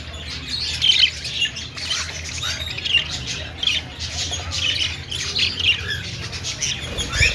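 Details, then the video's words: Budgerigar chirping sounds, a continuous chatter of squeaky, scratchy notes and brief high chirps, with a steady low rumble underneath throughout. "Budgie singing and dancing || parakeet chirping sounds"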